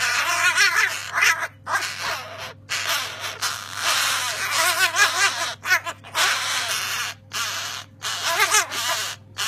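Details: Three small young crows give loud, harsh, nasal begging caws, ragged and overlapping in bursts with brief pauses. They were taken into care after their nest was removed from an unused crane, being too young to regulate body temperature.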